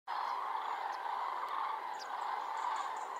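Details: Common cranes massing in large, spectacular concentrations on the Iberian Peninsula before departing, during the last month they can be seen: a dense, continuous chorus of many overlapping trumpeting calls with brief higher notes over the top.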